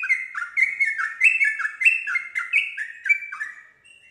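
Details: Caged yellow-vented bulbul pouring out quick, bubbling warbled notes in an unbroken chattering string, each note slurring down and up, fading at the end; meant to get other bulbuls singing.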